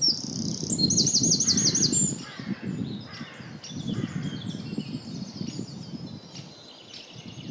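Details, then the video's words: Small Eurasian wren singing very loudly: a high, rapid song of rolls, buzzy trills and loose notes over a steady low rumble of background noise. "Zingende winterkoning"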